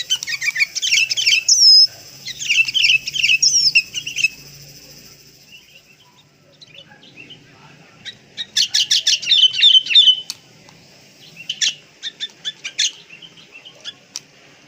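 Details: Sooty-headed bulbul fill-in tutor song: whistled slurred phrases, a pause, then sharp rapid chattering bursts and scattered clicks fading out.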